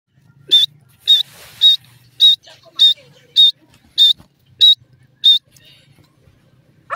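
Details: Francolin calling loudly: a series of nine sharp, high, clipped notes with a slight upward twist, evenly spaced about every 0.6 seconds, over a quiet background with a faint low hum.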